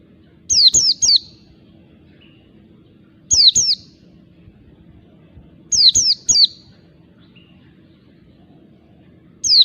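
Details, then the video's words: Wild oriental white-eye lure calls: brisk clusters of two or three high, falling, tinny chirps repeating every two to three seconds, with a steady faint hum in the background. "pancingan pleci ngalas MENARIK PLECI BAHAN CEPAT NGALAS"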